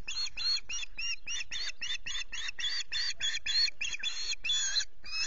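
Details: Osprey pair's nest at RSPB Loch Garten, misty morning, male back from fishing; a continuous string of strident, slightly buzzy chirps, some notes sliding upward, given in quick succession with no gaps.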